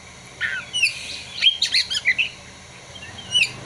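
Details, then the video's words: Kacer, the Oriental magpie-robin, singing imitated prinia and sunbird material: buzzy slurred notes followed by a quick jumble of bright whistles, ending with a lone rising whistle. "Kacer (materi ciblek dan kolibri)"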